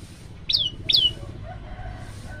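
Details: Hungry Olive-backed Tailorbird (prenjak lumut) singing actively: two sharp, high whistled notes, each sliding down and trailing off, about half a second apart, over a faint low hum.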